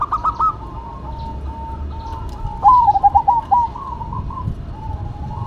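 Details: Zebra dove duet between a local bird and a cemani bird: a brief opening coo, then a rapid stuttering run of bubbling notes dropping slightly in pitch, with low background rumble.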